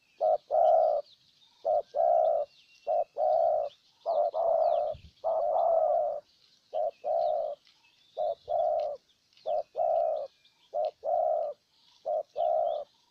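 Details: Spotted dove used as a decoy in Ninh Thuận, Vietnam, cooing to lure in a wild dove: deep mellow hooted coos in short phrases, each a run of two to four soft notes separated by silences, steady and repeated.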